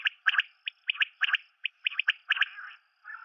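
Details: Common quail (Coturnix coturnix) call: rapid, raspy, clipped notes in pairs and threes, bursting every half second or so, with a throaty, gargling edge.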